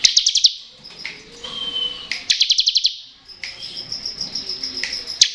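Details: Crystal-type bar-winged prinia in "ngebren" style, meant to stimulate untrained birds and those reluctant to sing: two quick buzzing trills of rapidly repeated high notes, separated by thin whistles and sharp chips, some faint background chirping.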